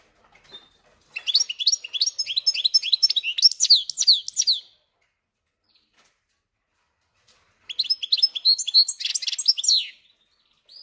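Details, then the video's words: Kept goldfinch-canary hybrid in song: two phrases of fast, evenly repeated high chirps, each lasting about three seconds, separated by a silent pause. "Поющий Гибрид Щегла и Канарейки"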